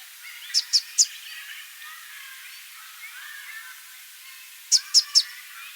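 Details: Immature male Southern Double-collared Sunbird giving two bursts of three sharp, high chips, each burst lasting about half a second, over a faint background hiss.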